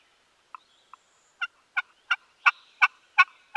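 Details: Wild Turkey during a midday turkey hunt in Mississippi, where male gobblers were present. The bird gives a series of sharp, clipped yelping notes about three per second, growing steadily louder over eight notes in a quiet setting.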